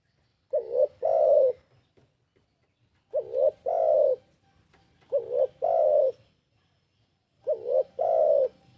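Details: Tekukur (spotted dove) giving a lure call to draw birds in. Four two-part phrases spaced about two and a half seconds apart, each a short wavering note leading into a long, low, even coo.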